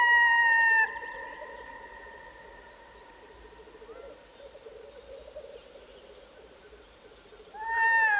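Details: A red-throated loon calling on a Finnish forest lake around 1 am gives a drawn-out, slightly falling wailing call, then calls again about seven seconds later, with soft crackling, likely a campfire, in between.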